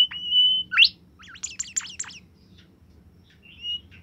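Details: Bimoli bird kept in a cage, singing steadily: a level held whistle, then a sharp upward sweep, a quick burst of high looping chirps, and a short softer whistle near the end, with a low background hum.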